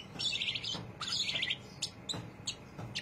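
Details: Greater green leafbird giving a harsh, buzzy chatter in two rapid rattling bursts, followed by a few isolated sharp high ticks. The song is the ngriwik chattering style.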